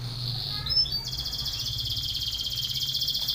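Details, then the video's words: Canary, Belgian canary, training song for contest: a brief descending whistle, then a fast steady high trill held for over two seconds, with low hum beneath. "canary training song for contest / canto Canário belga cantando"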